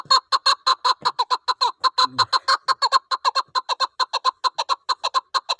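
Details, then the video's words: Hunting chukar partridge calling in the snow season: a fast, steady run of harsh clucking notes, roughly seven per second, each a short throaty chuck repeated without pause for the whole stretch. "Shikari Chakor ka Awaz Barf Mosumبرف اورشکاری چکورمستی آواز"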